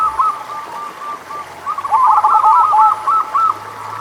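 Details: Local zebra dove singing as a lure for doves reluctant to sing: soft spaced coos speed up into a dense, rolling burst of rapid notes lasting about two seconds, then trail off into a few separate coos.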